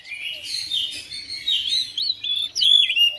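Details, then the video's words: Caged oriental magpie-robin kept at home, singing back to another bird with a rapid, varied mix of slurred whistles and squeaky chirps in short bursts. "DALAM HITUNGAN DETIK KACER RUMAHAN RESPON NYAUT IKUT GACOR"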